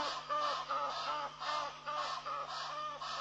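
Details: Egyptian geese taking off at Pete's Pond, Mashatu Game Reserve, Botswana, April 21, 2013, while a wary impala ram stands nearby; harsh nasal honks with clear harmonics follow one another rapidly, about two or three per second, with steady loudness.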